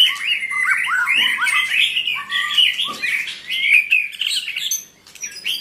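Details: Dense, fast-paced white-rumped shama song: bubbling whistled notes and chattering runs, then a quieter pause before a final high phrase.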